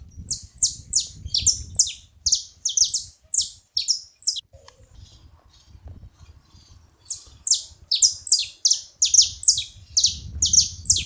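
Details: Group of saffron finches making noise together, piercing falling chirps repeated rapidly, with a lull of near silence in the middle before the chorus picks up again over soft low background noise.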